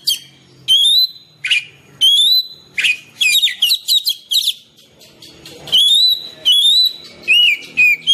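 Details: Natural Oriental magpie-robin song meant to get lazy caged birds singing: long pure whistles, some rising and some falling, alternating with dense bursts of rapid chirps, each phrase followed by a short silence.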